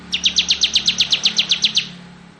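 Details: Bar-winged prinia, crystal type, delivering a single trill of about thirteen sharp, slightly downslurred high notes at an even pace, lasting under two seconds, with faint background hum.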